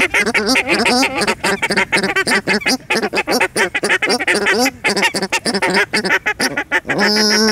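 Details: A pair of captive Paradise shelducks (Tadorna variegata) at a waterfowl ranch in Holland calls loudly in rapid, overlapping honks, several per second, then a steady, drawn-out note at the end.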